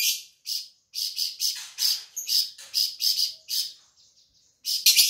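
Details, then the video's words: Flamboyan bird, an insect-eating bird of Sumatra kept by songbird hobbyists, singing vigorously: bursts of high, buzzy chirps repeated in quick succession, a short pause near the end, then a final sharp burst. "burung flamboyan gacor"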